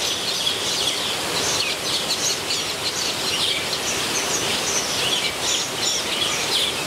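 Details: Captive metallic starlings in a frenzy of nesting activity inside a San Diego zoo aviary: many high, sharp chirps and squeaky whistles pile on one another without pause over a constant hissing background.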